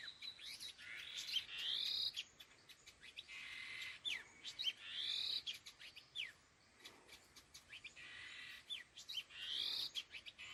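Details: Laughingthrush (khứu lùn) calling in the style known locally as "gọi đằng": rough, buzzy bursts with rising whistled strokes that repeat every couple of seconds. Sharp ticking notes are scattered between them, and there are brief quiet gaps.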